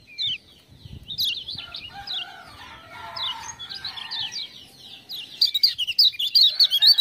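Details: Lemon-bellied white-eye from Lombok singing after being prompted by "ciak-ciak" sounds. After a mixed, lower warbling passage, a quick run of sharp, high chirping notes comes in rapid succession.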